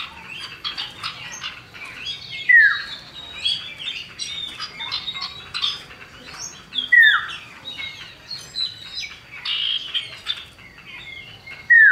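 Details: Male and female common iora singing as a lure: busy overlapping chatter and short notes, pierced by three distinct downward-slurred whistles spaced a few seconds apart.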